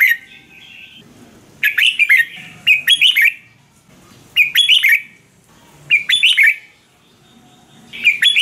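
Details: Red-whiskered bulbul song from Thailand for training caged birds: a soft whistled lead-in, then five lively bursts of quick, liquid warbling notes, spaced about a second or more apart.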